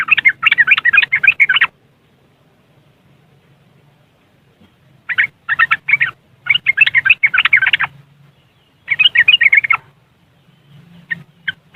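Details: Yellow-vented bulbul riwikan chattering, captured on an Android phone in West Java, Indonesia, and used as a lure to make lazy caged bulbuls sing: long dense bursts of rapid, scratchy chirps broken by silent gaps, over a low hum.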